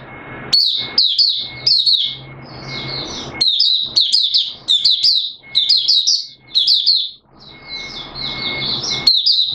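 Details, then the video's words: Buka sing song of a Malaysian Oriental white-eye (mata puteh), a hobby bird in Singapore on 29 March 2023, warm humid weather: bursts of thin, quick twittering notes broken by short gaps over a faint steady whine and background hiss. "Malaysian Mata Puteh Buka Sing"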